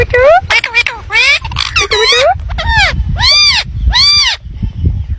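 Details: Indian ringneck parakeet talking loudly: rapid harsh speech-like syllables followed by several drawn-out, arching nasal notes, with steady low background rumble.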